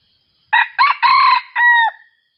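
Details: Rooster crowing: a loud four-part cock-a-doodle-doo of short opening notes, then a long held syllable and a drawn-out falling finish, in a quiet setting.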